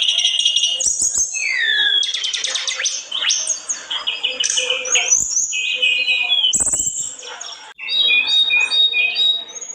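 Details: Tledekan gunung, the Sunda robin, singing hard: loud bursts of piercing whistles, downslurred notes and dry trills tumble together, with a brief pause near the end before the song resumes.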